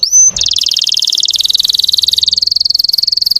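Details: Russian canary lure song for provoking untrained canaries: a brief pure whistle, then a long, even, very rapid rolling trill held for about three seconds.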